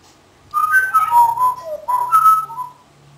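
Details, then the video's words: An 18-year-old male African grey parrot, a mimic that also copies a roadrunner, gives a two-second run of clear, meow-like whistled notes that slide up and then fall away, in a quiet room. "belches and meows"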